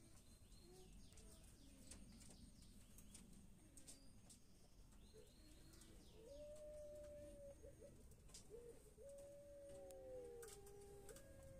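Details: Pelung rooster giving its long crow: a drawn-out steady tone held over a second, then a second prolonged note ending in a falling tail, over a rumbling background with scattered clicks.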